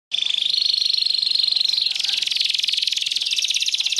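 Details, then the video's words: Canary singing a dense, buzzy rolling trill that holds steady and high at first, then breaks into a rapid, slightly lower pulsed roll for the rest of the passage. "تغريد كناري"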